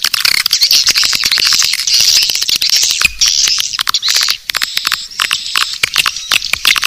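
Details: Naga Birahi swiftlet call used as a lure to draw swiftlets in: a continuous mass of high buzzy twittering with rapid irregular clicks throughout, like a busy colony.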